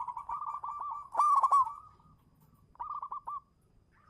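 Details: Local zebra dove lure song: a fluttering run of soft coos rising into one loud, overtone-rich burst, then a short quieter stuttering phrase after a pause.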